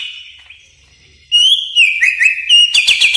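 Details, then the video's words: Greater green leafbird lure sound for tutoring caged birds: a faint sustained high tone at first, then from about 1.3 seconds loud, clear whistled notes that slide up and down, ending in a burst of rapid sharp chips. "terapi masteran ||suara pikat burung cucak ijo"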